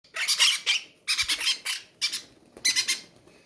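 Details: Hungry captive parrots at feeding time in a breeder's aviary give harsh, raspy squawks in four clustered bursts of two or three notes each, separated by short pauses, against a quiet room background.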